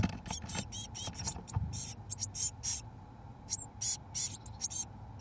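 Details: Eurasian blue tit nestlings, 17 days old, being fed mealworms by both parent birds inside a nestbox: dense volleys of sharp, high, hissing chatter, some bursts longer and smeared, with low rumbling and knocks underneath.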